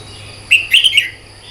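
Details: Red-whiskered bulbul morning song for singing competitions, one short burst of sweet whistled and chattering notes with a falling end, over a soft steady hiss.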